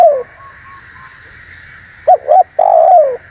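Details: Spotted dove calls used to lure wild doves and provoke rival doves, here a drawn-out falling coo, then two short looping notes and a long descending coo, over a steady background hum.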